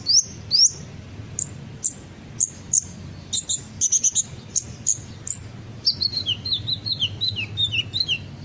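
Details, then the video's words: Sunbird ('kolibri ninja') lure song for prompting other birds to join in: spaced shrill chirps that give way to a quicker, slightly lower twittering run of descending notes. "pancingan suara burung kolibri ninja pasti langsung ikut bunyi"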